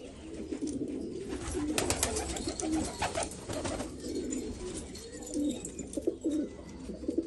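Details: Afghan black pigeons, Afghanistan, coo in low gurgling phrases amid bursts of rustling and flapping-like noise. Clearer rolling coos return toward the end.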